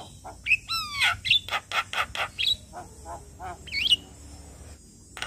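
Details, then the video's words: Morning lure song of a Javan myna, used for birds that have stopped singing: a descending stack of whistled slides, several harsh rasping bursts in a row, and one looping whistle near the end over faint background hiss. "Burung Jalak Macet Bunyi Wajib Rutin Kasi pancingan Suara Jalak Kebo Tiap Pagi"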